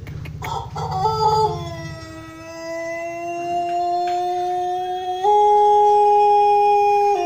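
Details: Pelung chicken rooster giving a long, prized crow: a brief rough opening, then a very long sustained tone held steady for several seconds, stepping up slightly in pitch near the end.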